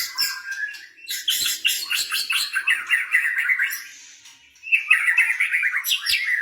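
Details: Caged blorok white-rumped shama in a stimulating song for other birds. Quick twittering notes lead into rapid buzzy trills, then a short pause, then bright repeated whistled trills.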